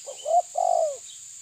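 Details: A single phrase from a tabir spotted dove facing a rival: two quick soft notes, then a sustained low coo sliding downward at its end, with a thin steady high whine behind it.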